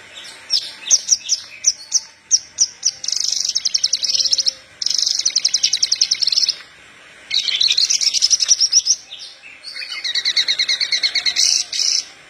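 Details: Horsfield's bush lark of the parva type in full song, used as a lure to get untrained larks singing: very high, rapid trills and sharp chirps in bursts of a few seconds, split by short pauses, some phrases buzzy and dense, others spaced ticking notes.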